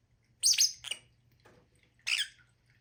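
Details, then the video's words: Lovebird making two sharp, shrill screeching chirps close together, then a quiet gap and one more harsh high squawk; steady low hum in the background. "Lovebirds sound"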